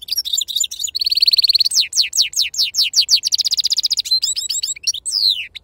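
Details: Wild-type European goldfinch in sustained song: twittering, a buzzy trill, a run of steeply falling whistled slurs, another rapid trill, and closing varied chirps and a descending whistle.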